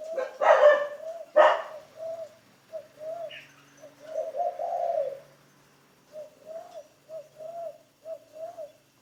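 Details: Spotted dove trained as a decoy, producing a run of short coo notes and one longer rolling phrase, with two loud knock-like clatters at the start.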